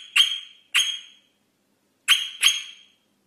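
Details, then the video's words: Rosella singing in two pairs of sharp, ringing whistles. Each note starts crisply and trails off, with a pause of more than a second between the pairs. "SONG ROSELLA تغريد طائر الروزيلا الجميل"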